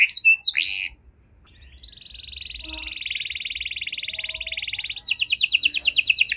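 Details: Canary song for encouraging silent canaries to sing: a few sharp whistled notes, a pause, a soft steady trill, then a louder fast rattling trill.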